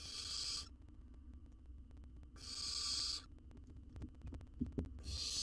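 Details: Owl nestling in a wild nest box with research camera, Israel, feeding on a jird; three breathy rasping hisses roughly every two and a half seconds, with light knocks near the end.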